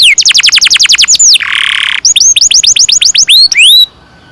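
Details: Canary long-roll song ('ngerol panjang') used to prompt young birds to sing: a fast train of downward-sweeping whistles, then a harsh buzzy burst, followed by rising whistled notes in quick succession before the song stops.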